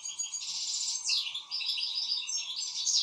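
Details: Excited European goldfinch pouring out a dense, continuous twitter of high tinkling notes, buzzy slurs and quick trilled chirps.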